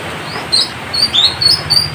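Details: Citrine canary-flycatcher from West Sulawesi, a tutor song for competition birds: thin high whistled notes given in quick separate bursts over steady background hiss.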